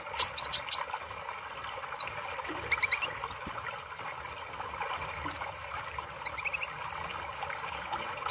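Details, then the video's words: Sunbird giving thin, high chirps and twitters in short bursts every second or two, set against a steady trickling, water-like hiss. "Terapi Kolibri ninja Malas Bunyi"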